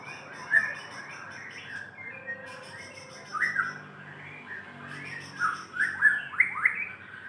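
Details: White-rumped shama singing to call a female: varied whistled phrases with rising and falling slurs and sharp upward sweeps, against a steady hiss and a faint hum.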